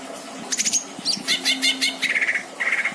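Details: Greater green leafbird, a caged pet bird in Indramayu, giving a lively burst of high chirps and clicks, then two short buzzy trills.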